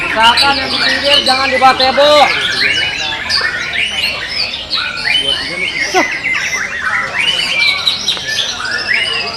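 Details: White-rumped shama, a caged bird in a singing contest at the Reyalita Cup 1 in Central Lombok. It pours out rich, varied song of loud whistles, rapid trills and harsh chattering notes. Other birds overlap, and people talk in the background.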